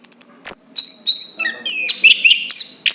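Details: Chestnut-capped thrush song: rapid varied phrases of bright, high whistled notes, some sliding up or down, with brief sharp clicks between them over a quiet low hum.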